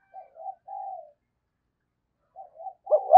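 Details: Decoy spotted dove giving thúc and gáy calls to lure wild doves: two short mellow coos, then a longer drawn coo. After a pause come more soft coos and a louder, rougher burst at the end.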